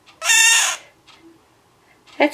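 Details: Pet male scarlet-chested parakeet crying during step-up training beside his mate; one loud, harsh, buzzy cry lasting half a second, followed by a quiet pause and a woman's soothing voice.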